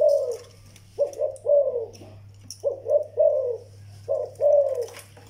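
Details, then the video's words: Zebra dove, a young bird, indoors: paired and tripled soft trilled coos separated by short pauses, each phrase ending in a downward slur, over a constant low electrical hum and occasional light taps. "chim malay tơ"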